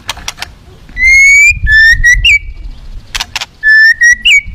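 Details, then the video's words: White-rumped shama in aggressive singing that goads other shamas, giving long steady whistles, each ending in an upturned flick, separated by sharp clicking sounds. "bergaya agresif kicaunya mendongkrak murai lain bongkar isian"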